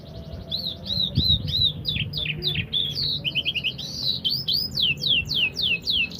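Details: Canary singing a fast, varied song of high, rapidly repeated downslurred whistles and trilled notes, ending in a series of sweeping descending notes, with a low background hum throughout.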